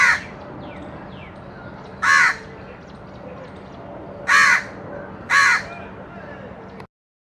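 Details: Crow giving scattered harsh caws, one at the start and three more spaced over several seconds, with faint background noise and a brief quieter call early on.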